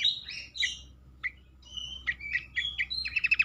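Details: Black-capped babbler, locally called cingcoang, sings as a lure to make other birds sing: high sweeping notes, short whistled strokes and sharp chips, ending in a fast string of five clipped notes.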